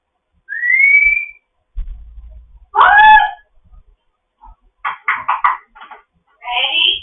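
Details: Morning chatter from a fostered African grey parrot kept indoors. A rising whistle, a rough harmonic squawk, a quick run of clicky pulses and a final buzzy call come in separate bursts.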